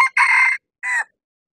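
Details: Male red junglefowl kept as a decoy to lure wild junglefowl in mountaintop bamboo forest, giving a clipped crow: a harsh, broad burst of about half a second, a short gap, then a shorter rasping second note.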